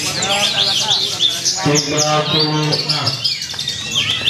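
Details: A Javan (Horsfield's) bush lark sings at a bird contest event in Purwakarta on 2 February 2020, pouring out a dense, fast run of high chirps and twitters, broken by a lower, mooing harmonic phrase and background voices.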